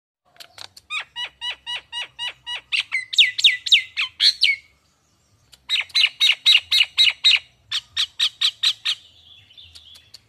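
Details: Nias hill myna, a caged bakalan bird, giving pancingan lure calls: fast series of loud, sharp, chirping notes about four per second, two bursts separated by a short pause, ending in softer trailing notes.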